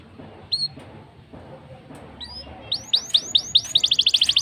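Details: Black-throated canary song used as a lure for canaries: a few isolated rising whistles over quiet background, then a quickening series of curved swept notes ending in a dense rapid trill.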